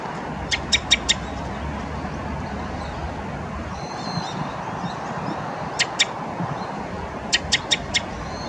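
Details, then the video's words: Naumann's thrush giving sharp, high chipping calls in quick bursts of three or four over a steady background rumble, with a faint thin whistle midway. "Naumann's thrush call/노랑지빠귀 소리"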